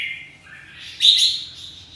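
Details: At a singing contest, a red-whiskered bulbul delivers a short downward whistled slur, then a loud, high, bright burst of notes that fades away.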